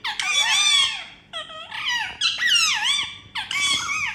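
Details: Pet Indian ringneck parakeets making happy sounds while flying around during playtime indoors; a run of loud, harmonic, wavering squawks and squeaks with rising and falling tones, several in quick succession with short gaps.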